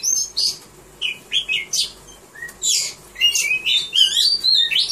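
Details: Caged Oriental magpie-robin in a singing contest, 3 April 2015, giving separated bursts of high chirps and short twittering phrases with gaps between them, ending in a quick run of rising whistled notes.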